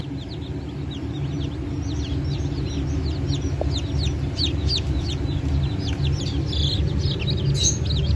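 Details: Newly hatched Brahma, Wyandotte and other chicken chicks from a hatch on 1 May 2024, many peeping at once: dense, overlapping high, downward-slurred cheeps, with a steady low hum underneath.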